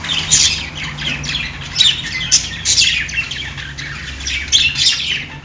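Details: Lively budgie chirping, rough squawks mixed with bright piping notes, coming in quick uneven bursts that hardly stop, steady low hum faintly present.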